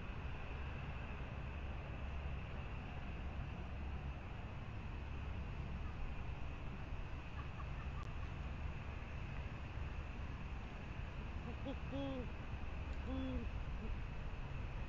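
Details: Great horned owl bringing prey at the Presidio, January 2019, hooting softly; two faint low rounded hoots come late, after a long stretch of steady rumbling background noise, with a few faint high chirps.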